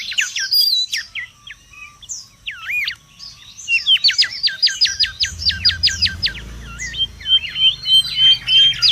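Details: Wild mangrove whistler song for luring and tutoring: looping whistled notes, then a fast rattling series of steep up-down strokes, ending in clear level whistles, with a low background rumble.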